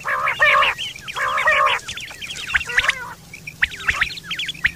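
Quail giving two harsh, nasal, buzzy bursts, then a scatter of quick high chirps and twittering notes, as if several birds call together.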